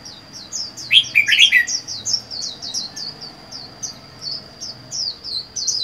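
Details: Caged Red-whiskered bulbul, wild-caught and four months in a cage, kept alone, gives a brief burst of warbled, bubbling notes near the second mark among many quick, thin, high chirps over a steady high-pitched whine.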